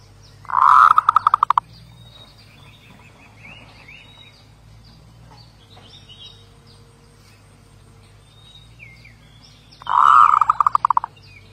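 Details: Zebra dove with two rolling, stuttering coo phrases about nine seconds apart, each ending in rapid clipped beats; soft chirps and twitters of other birds fill the pause.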